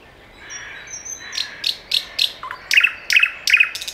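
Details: Common nightingale singing: a thin high whistle, then a low note and a run of loud, sharp, repeated chirps around three per second, rising in intensity.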